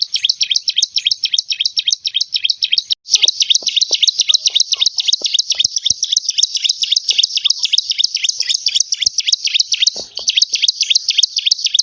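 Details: Petetan-style song of a bar-winged prinia, a champion singer from Tempuran village: a long unbroken run of quick, high, sharply chirped notes at nearly four per second, with a brief gap near three seconds and soft clicking ticks in the background.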